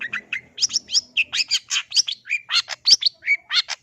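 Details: Long-tailed shrike (cendet) pouring out a lively gacor phrase: evenly spaced bright chirps and short buzzy notes, roughly four per second, with faint low background noise early on.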